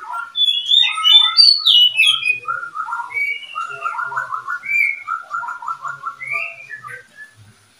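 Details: Oriental magpie-robin from a kept breeding pair singing loud, varied whistled phrases: a high tangled opening, then rapid trilled notes and clear slurred whistles in quick succession, fading at the end.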